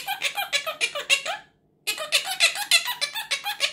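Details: A Quaker parrot being taught to say 'tickle tickle' talks in quick, high, squeaky syllables, about three a second, broken by a short silence, in a small indoor room.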